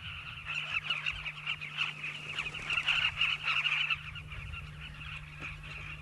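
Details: Riverbank nesting colony of migrant Southern carmine bee-eaters, South Luangwa National Park, Zambia: rapid, overlapping harsh calls from many birds, swelling louder midway, then easing off.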